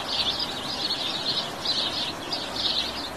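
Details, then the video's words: Rapid, busy chirps from house sparrows, bunched in short bursts about once a second over a steady outdoor hiss. "Canto e videos do passaro pardal"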